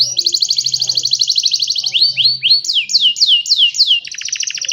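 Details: Cellphone-recorded young canaries singing to train other canaries: a long, fast, rattling trill, a series of steep falling whistles, then a lower buzzy trill.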